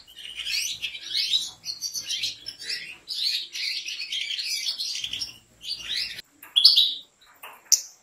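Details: European goldfinch kept by professional breeders, singing a dense, fast twittering song of bright chirps and trills. Bursts run almost continuously, with short pauses near five and six seconds and a few sharp high notes at the end.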